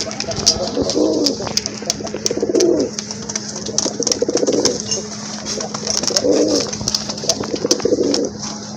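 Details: Kept pigeons in a collection give low, rounded cooing phrases, five bursts each roughly one to two seconds apart, over a steady mechanical hum with sharp clicks and tapping throughout.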